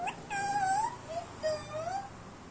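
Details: Pet Indian Ringneck parrot mimicking human words in Hindi; short wavering tonal phrases, a rising-falling utterance followed by two softer segments, recorded indoors with low background hiss.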